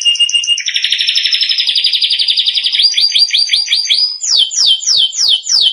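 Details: Canary song for training young canaries: a long rapid trill near the upper-middle range, shifting into faster rolls, then a series of rising sweeping notes repeated about every half second.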